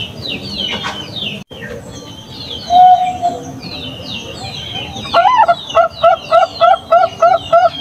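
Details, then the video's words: A zebra dove (Bangkok perkutut) on a lure recording meant to prompt other doves to call gives a soft coo, then about seven quick, rhythmic rising coos, over constant high chirping from other small birds. "PANCINGAN PERKUTUT BANGKOK JUARA BIKIN YANG LAIN GEMETAR UNTUK BUNYI"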